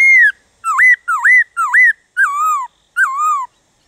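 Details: Black-throated laughingthrush song, used to stimulate other laughingthrushes to sing: six loud clear whistles, a falling slur, three rising-then-falling U-shaped notes, then two longer descending whistles, against a quiet background.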